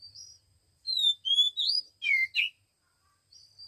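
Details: One-week-old Oriental magpie-robin chicks being hand-fed, giving thin high whistled and chirping notes in a quick burst of five or six, some sliding upward, then short pauses, over near silence.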